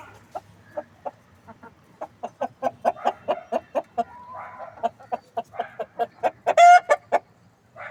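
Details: Steady clucking from desi hens: short, clipped notes repeating roughly three times a second and building in loudness, ending with a brief harsher squawk.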